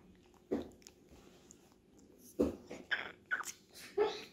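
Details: A Grey parrot chick being hand-fed gives five rough, raspy grunting squawks at irregular intervals, bunched toward the end, with faint soft feeding noises between.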